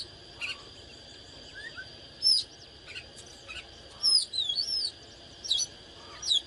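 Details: Oriental magpie-robin singing fired-up during display: sparse, scattered high whistled notes and short twittering phrases separated by pauses, with a steady high-pitched whine throughout.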